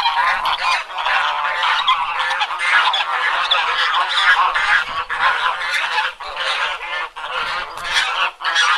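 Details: Farm ambience: domestic geese honk in a loud, continuous, overlapping chorus of harsh, nasal calls, with barely a pause throughout; chickens also present on the farm.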